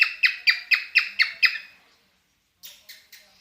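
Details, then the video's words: Singing cockatiel in mating mood: six rasping descending notes in quick succession, then a pause and three softer, brighter chirps. "the singing cockatiel"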